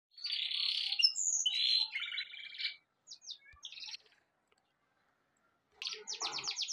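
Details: Birds chirping in short bursts of high, harsh, buzzy notes. A pause of about three seconds is followed by a fast run of rapid, repeated high chirps near the end.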